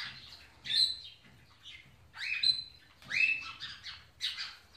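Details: An Indian ringneck parakeet shows love toward a companion African grey parrot with four bursts of scratchy, rising squawks, each lasting under a second and spaced about a second apart, in a quiet room.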